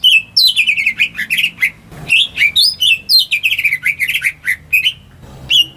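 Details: Home-kept greater green leafbird singing, used to lure silent birds into song: a loud, varied run of rich warbled and chattering phrases, sliding notes rising and falling, broken by a short pause near two seconds, with a brief noisy knock.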